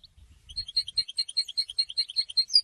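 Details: Goldfinch song used in song training: a steady series of clear, high, chirped notes repeated several times a second in an even rhythm, after a brief soft low rumble at the start.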